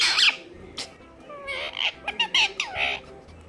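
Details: Pet Indian ringneck parrot in a happy mood, playing with its owners: harsh squawks and short warbled, wavering notes in quick succession, with faint household sounds behind.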